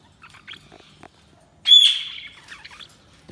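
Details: A single loud, sharp budgerigar chirp stands out among faint soft chatter and small clicks in a quiet room.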